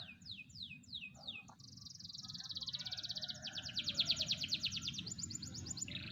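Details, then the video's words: Young canary of four to five months singing in July 2020: four quick descending whistled sweeps, then long rolling trills of rapid pulsed notes that swell and fade, ending on a higher buzzy phrase, with low hum beneath. "performa kicau kenari 4-5bln"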